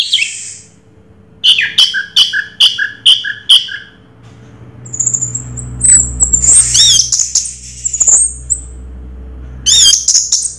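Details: Orange-headed thrush with Raja Teler song: a regular series of five or six sharp doubled notes, a pause, then very high twittering trills and squeaky phrases, over a soft low rumble and hum.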